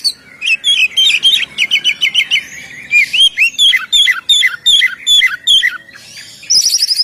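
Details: Loud oriental magpie-robin song in the gacor ngeplong style, used for luring birds: rapid repeated downslurred whistles in series, a pause, then a buzzy high trill.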